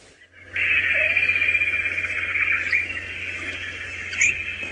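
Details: African grey parrots fill the air with a dense, unbroken wash of shrill chattering and squawks, sounding like a Central African rainforest, with a low steady hum underneath.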